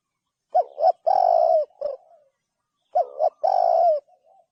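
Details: Two cooing phrases from a spotted dove, about two and a half seconds apart, each two quick rising notes then a long sustained coo, the first closing with an extra short coo and both trailing off into faint notes.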